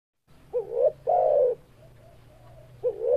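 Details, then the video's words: Spotted dove cooing: two short rising hoarse notes followed by a longer, level, throaty coo, then the phrase begins again near the end, over a low steady background hum. "Suara Burung Tekukur"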